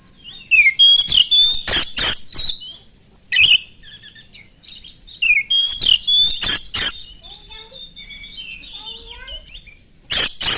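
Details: Oriental magpie-robin singing loudly, used to provoke rival magpie-robins to answer: rapid phrases of sharp whistles and harsh rasping bursts, pauses between, softer twittering in the background.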